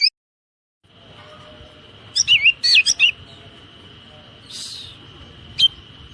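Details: Brief Oriental magpie-robin 'tembakan rapat' phrase for caged-bird training: after near silence, a fast cluster of four or five loud warbled whistles, then a soft hiss and one last sharp note over a steady background hum.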